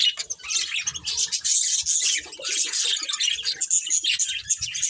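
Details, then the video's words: Continuous budgerigar chirping: busy high warbles, squeaks and quick trills from several birds overlapping, steady throughout. "Cute Budgies Chirping Sounds"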